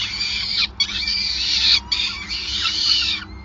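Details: Peregrine falcon screeching during feeding at the Groningen Gasunie nest, 5 May 2020: three long, harsh, buzzy bursts separated by two short breaks.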